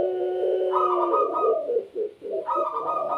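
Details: Puter pelung, a kept Barbary dove noted for lively calling, gives low, rolling coos that overlap in a dense layered chorus, with a brighter higher note entering twice; meant to set other doves calling along.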